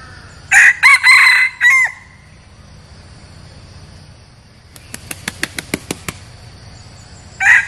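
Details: Loud, ragged crow from a decoy red junglefowl used for luring wild birds: four harsh, buzzy bursts, then a pause, a quick series of wing-flapping claps, and the start of another crow at the end.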